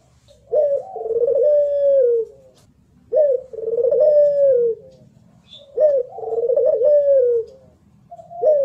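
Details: Barbary dove of the local puter pelung type, a competition singer, recorded clearly as a tutor song. It gives repeated coos: a short rising note, then a long rolling, slightly descending phrase, each about every 2.6 seconds. Faint low background rumble.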